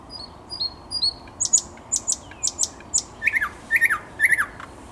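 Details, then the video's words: A thrush nightingale on 10 May 2021 sings soft high whistles, then crisp clicks, then three loud looping chuckled phrases spaced about half a second apart. "Słowik Szary"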